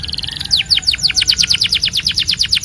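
A Belgian canary sings a fast, rolling trill of bright, descending chirps, about eight notes a second, high-pitched and steady, with a faint low hum behind.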